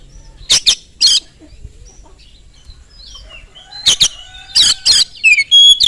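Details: Fast-singing Oriental magpie-robin, a recording meant to provoke other magpie-robins to answer: paired loud harsh chattering bursts, a long quiet pause, then more rasping bursts ending in a falling whistle and a level whistled note.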